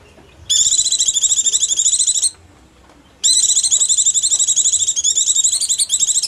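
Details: Oriental white-eye, hungry or frightened, its calls used to lure other small birds down: dense rapid high-pitched chattering in two bursts, a steady trilled stream broken by a short pause near two seconds, with no other clear sounds.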